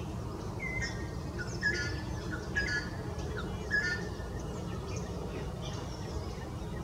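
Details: Greater racket-tailed drongo mimicking Rufous Treepie, with a busier run of short whistled and metallic notes at varied pitches, loosely spaced over a continuous low rumble.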